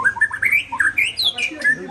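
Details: Aceh white-rumped shama in training for a songbird contest, delivering loud, varied whistled phrases that rise and fall in quick succession, some notes sliding upward to a high finish, with brief pauses between bursts.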